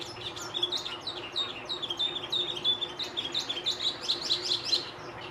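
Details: Song of a chestnut-cheeked starling, 14 May 2021: continuous high, squeaky warbling made of short sliding whistles and creaky chips, delivered rapidly without pause, with a soft steady hum underneath.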